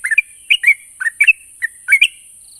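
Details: Yellow-vented bulbul singing to coax silent birds into responding: short groups of liquid, warbling chirps with brief slurs, about two groups per second, over a continuous thin high whine.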